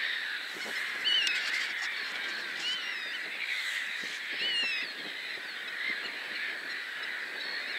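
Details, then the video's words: Black-tailed godwits, a male and female, calling during a fight as another bird flies in; several short nasal, wavering calls rise and fall over a dense, continuous chorus of other birds. "Black-tailed godwit / Rycyk"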